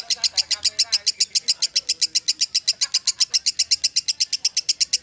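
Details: Quick, evenly paced ngekek chatter from a lovebird, sharp shrill notes about seven per second held steadily for five seconds, with a faint low hum in places.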